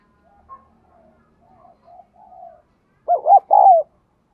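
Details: Lure spotted dove cooing: several faint, low, murmuring notes, then a loud burst of two or three hollow, arching coos near the end, with a quiet background.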